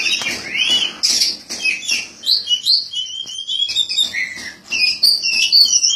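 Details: White-breasted magpie-robin, known locally as Kacer Poci, caged champion of the 2017 Bupati Cup, sings a rich string of whistled upslurs, buzzy notes and fast trills in continuous rhythmic phrases.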